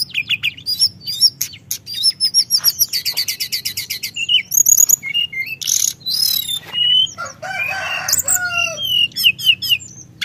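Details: Sunda whistling thrush rolling out continuous song to provoke other birds, a long fast train of repeated high notes followed by scratchy buzzes, clear whistles and a harsh, broad rasping burst.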